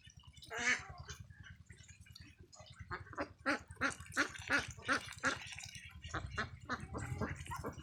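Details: Farm ducklings calling: a string of short, harsh quacks repeated about every third of a second, with a low background hum throughout.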